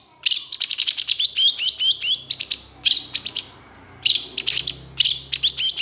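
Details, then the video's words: Cendet, the Long-tailed shrike, in energetic emotional song: dense runs of fast, harsh, chattering notes in three bursts separated by short pauses, over a faint low background hum. "Cendet Gacor Emosi"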